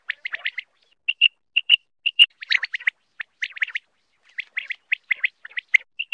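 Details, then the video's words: Common quail, locally batair, recorded in Pakistan as a hunting sound: short clear whistled notes alternating with rapid clusters of chirpy, trilled notes, fairly quick and uneven, with brief pauses between bursts. "Common quail mp3 sound ll common quail hunting ll quail sound ll Batair mp3"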